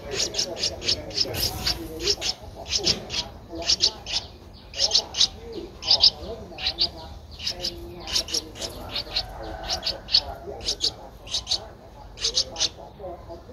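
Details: Twelve-day-old Streak-eared Bulbul nestling recorded in Ubon Ratchathani, Thailand, on 14 April 2023, giving bursts of thin, high, piercing squeaks in clustered runs, with low murmured speech in the background.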